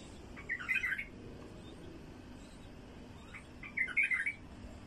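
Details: Wild bulbul singing, played to draw in wild bulbuls. Two short, bubbly warbled phrases about three seconds apart rise above a steady low background hiss.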